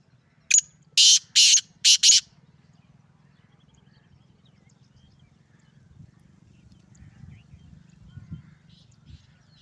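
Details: Calling male Sindhi black francolin: one harsh opening note, then a burst of four loud grating rasps within two seconds, followed by a long quiet stretch with faint low rumble.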